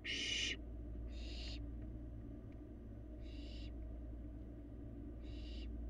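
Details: Fledgling barn owl feeding inside an empty nest box on a Florida live camera: four rasping, hissy screeches, each about half a second, spaced one to two seconds apart, the first loudest, with constant low hum beneath.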